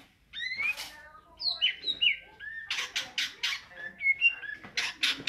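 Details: Greater green leafbird in ngentrok song style, giving clear high whistled slurs and short chirps mixed with sharp broadband clicks and rattles, uneven in rhythm.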